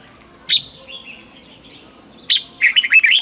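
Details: Morning singing of a red-whiskered bulbul in the fast, fiery 'căng lửa' training style: a lone sharp note, a pause with a constant high-pitched whine, then a quick bubbling, warbled phrase.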